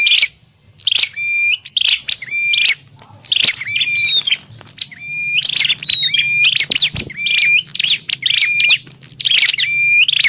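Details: Prinia known as prenjak klawu, played to lure birds into traps; repeated phrases of crackling buzz and a sustained thin whistle, about nine in a row, with a low rumble beneath.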